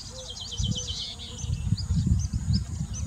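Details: A White-tailed (Marshall's) Iora in India, during courtship behaviour, gives a quick run of thin, high chirping notes, then scattered single chirps, over a steady low rumble.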